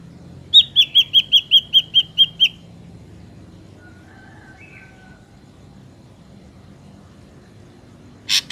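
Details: Ashy drongo song played as a trapping lure: a fast run of about nine sharp, high whistled notes in two seconds, then a long pause and a final harsh, broadband rasp.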